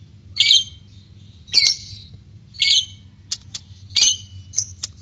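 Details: White-beaked lovebird giving harsh, squawky chattering notes, each burst about a quarter-second long and repeated roughly once a second, mixed with brief sharp chips, over a steady low electrical hum.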